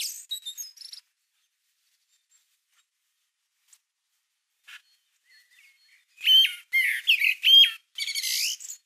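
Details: Common blackbird singing in a garden in March 2020, recorded with a Canon PowerShot SX620 HS: faint high notes at first, a long near-silent gap, then a loud run of fluty, slurred phrases with high twittering endings.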